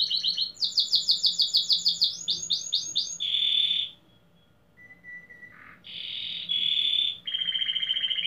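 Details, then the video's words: Competition singing by a domestic canary (Belgian canary, fibra song) at a 15th-edition contest in Pelotas, Rio Grande do Sul: fast repeated chopped notes, then a steady buzzy roll, a pause, a low whistle and more dense trills. "Canário Doméstico"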